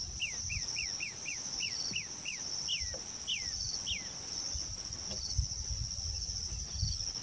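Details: Striated babbler soft song, India: a quick series of about ten short, down-slurred whistles over four seconds, the last few longer, over a loud steady high insect drone.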